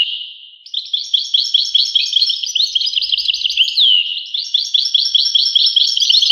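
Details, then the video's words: European goldfinch giving a steady stream of high, tinkling, slightly metallic twitters, with one clear falling whistle partway through; no background noise. "voice carduelis- Tweets the birds. Tones a bird Goldfinch. voice goldfinch-"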